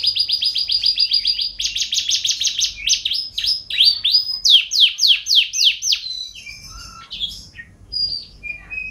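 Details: Canary singing energetically ('gacor'), rapid buzzy trill rolls switching to slower descending sweeping notes, then scattered short whistles and chips toward the end.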